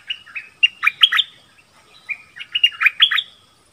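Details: Nok dok taeng trading song with wild birds. Two runs of bright chirps and twittering notes are separated by a short pause, each rising into a loud cluster of sharp notes.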